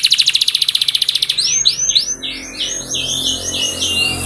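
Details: Canary singing in a recording meant to prompt canaries into song: a rapid even trill that gives way to a run of bright, swooping, downward-curving whistles repeated several times a second, with faint low background hum.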